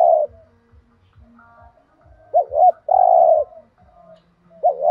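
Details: Spotted dove giving thúc gù coos meant to make captive doves call: one full phrase, a quick dipping note then a long even coo, with cut-off coos at each end and quiet low tapping.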